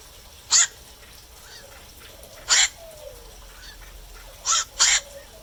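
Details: At night, a black-crowned night heron calls four times: short, harsh croaking kwaks, the last two close together, with faint softer notes and a thin gliding whistle in the background.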